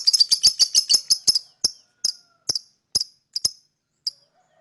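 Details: Lovebird chirping: a fast burst of shrill, clicky chirps slowing into separate sharp notes spaced about half a second apart, some in close pairs.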